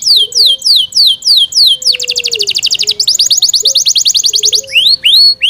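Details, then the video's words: Yorkshire canary kept in care, singing loudly: repeated falling whistled notes, then a fast dense trill of rapid rising strokes, ending in swooping upward whistles. "Yorkshire canary Nice sound"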